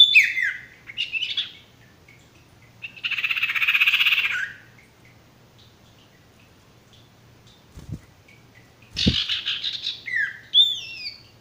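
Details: Male ashy tailorbird singing, used as a training song for stressed or silent birds: loud descending whistled notes, a dense buzzy burst in the middle, a knock, then more bright falling whistles at the end.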